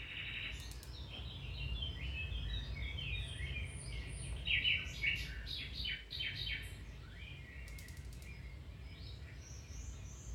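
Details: Domestic canary in full song, offered to stimulate or improve another canary's singing: rolling trills of rapid repeated notes, buzzy pulsed bursts and clear high whistles, loud and continuous over a low steady hum.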